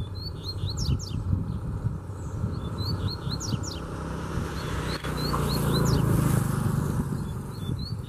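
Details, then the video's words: A free wild Double-collared seedeater comes forcefully at a caged bird, singing rapid series of thin, high, rising and falling whistles, several notes each second, against a continuous low drone. "Puxada de Fibra Top!!! Coleiro Solto Veio Com Força Pra Cima"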